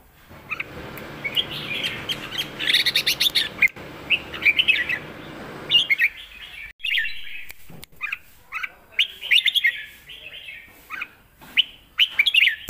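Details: Caged red-whiskered bulbul singing a fierce Lak Wai style master song, used for teaching young birds; sharp whistled notes in quick bursts, preceded by a rough, noisy stretch during the first six seconds, then clearer separated phrases.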